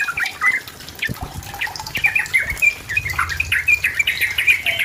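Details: A sooty-headed bulbul sings boldly to challenge a rival and provoke a reply, giving scattered liquid whistled notes that build into a busier run of bubbly phrases over a soft low rumble.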